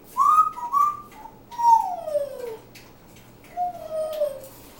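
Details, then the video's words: Pet African grey parrot singing: a series of pure whistled notes, two short level ones, then long gliding notes that fall in pitch, with faint chatter mixed in. "African Grey, Conversation and Song"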